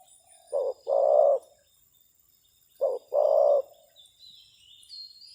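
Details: Decoy spotted dove calling at a wild bird: two phrases, each a brief low coo followed by a longer rough coo, about two seconds apart, over a steady high hum.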